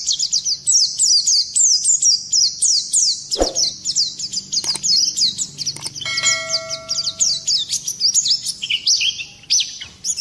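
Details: Oriental white-eye singing a rough ngerol nembak song meant to stir other birds into singing: rapid high chirps and downward sweeps run on continuously, with a sharp knock near the middle and a ringing bell-like tone shortly after.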